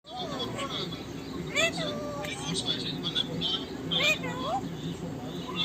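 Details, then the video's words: A parrot named Mitu chatters in short, speech-like phrases with sliding rising and falling tones, over a steady hum of street traffic and distant children's voices. "Parrot talk everything"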